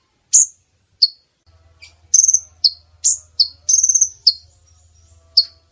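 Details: Brown-throated sunbird female calls used to lure males within reach for trapping: high sharp chirps mixed with short rapid trilled bursts, over a faint low hum.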